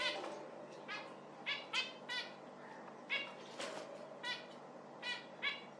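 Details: Repeated nasal, trumpet-like beeps from zebra finches, around ten brief stacked calls in under six seconds, some paired in quick succession, over a soft background hiss.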